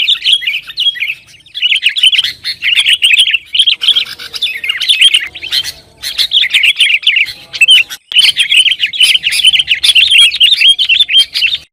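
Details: Sooty-headed bulbul song used to heat up rivals and encourage kept birds to sing: long bursts of fast, bright chattering notes separated by short pauses, near the fourth and eighth seconds.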